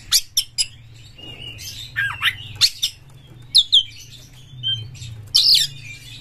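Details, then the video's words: White-rumped shama, a caged singing bird used as a lure to provoke other shamas, delivers loud harsh chattering notes and sharp high bursts with brief whistled phrases, broken by short pauses, over a low steady hum. "Pancingan Kacer Juara Gacor FullEmosi Buka Ekor KONSLET memancing KACER LAIN"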